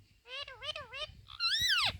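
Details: Indian green parrot kept as a pet, talking and repeating words with its owner, who speaks in Hindi around it: three wavering, nasal harmonic calls, then a loud, harsh rising-and-falling screech.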